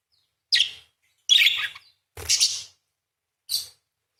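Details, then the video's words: Parakeet kept as a singing bird, giving four separate harsh, buzzy chirps and chattering bursts, high-pitched and spaced about a second apart, with quiet gaps between them. "PARKIT GACOR !! full materi nembak panjang beset crecet roll basic dasar murai // parakeet bird call"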